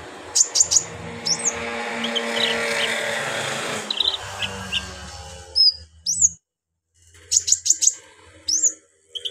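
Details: Brown-throated sunbird singing harsh, rough phrases meant to excite other sunbirds. Sharp high chirps and short upward-swept whistles come in small groups, first over a steady humming, music-like background, then against a quieter backdrop with a trill-like cluster of chirps.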